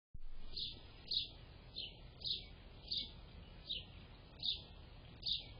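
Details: A Gray Catbird recorded on April 24, 2025 gives short, bright, squeaky notes about every half second, with a steady low rumble of background noise underneath.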